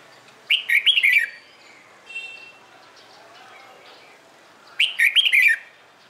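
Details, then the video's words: Red-whiskered bulbul singing in the morning, a training recording to make other bulbuls sing; two bubbly warbled phrases about four seconds apart, with a brief buzzy sound between them. "CHÀO MÀO HÓT BUỔI SÁNG KÍCH BỔI RA GIỌNG HÓT THEO"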